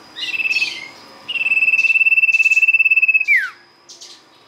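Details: Sirtu singing as a lure: a short trill, then a long steady rapid trill lasting about two seconds that falls away at the end, with a few high chirps after.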